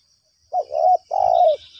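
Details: Spotted dove responding to a lure, calling nonstop: one clear mid-pitched coo phrase of a short opening note, a rising wavering coo and a long, slightly pulsing final note, over low background noise.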